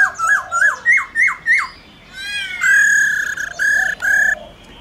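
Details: Laughingthrush forest-style calling song aimed at wild birds, with a female accompanying: a quick series of five looping whistled notes, then a run of loud, flat, buzzy harmonic notes.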